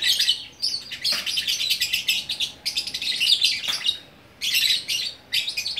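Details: Single lovebird kept as a fighter in Bukittinggi, West Sumatra, singing gacor orkestra style: fast, shrill, buzzing chatter streams with a couple of sharp snaps and a brief gap near the end.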